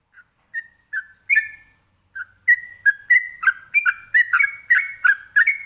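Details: Ropelan-style song of a sooty-headed bulbul, used to get other birds to answer; spaced whistled notes at first, then a dense run of quick, bright, slurred whistles rising and falling.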